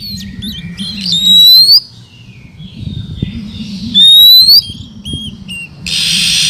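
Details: Female Oriental magpie-robin singing to stimulate males: clear, rising whistled notes in two bursts about three seconds apart, with short chirps between them, a steady low hum in the background and a burst of noise at the end.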